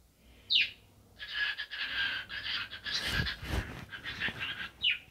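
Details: A cockatiel talking while dancing, giving raspy, scratchy chatter in dense bursts that run almost continuously after a short upward squeak, ending with another brief squeak; indoor room sound.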